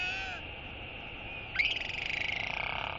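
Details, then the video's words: A young female royal albatross giving skycalls in the morning as parents land nearby: a brief harmonic wail, then a sharp rising note breaking into a fast, steady series of rattling, braying pulses. "Royal Albatross ~ A Morning Full Of QT's Beautiful's Skycalls! Such Lovely Music!"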